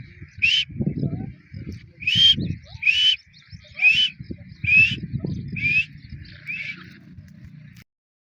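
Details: Female grey francolin: a series of seven short, sharp rising whistled notes, high-pitched and evenly spaced about every 0.7 seconds, over low rumbling background noise.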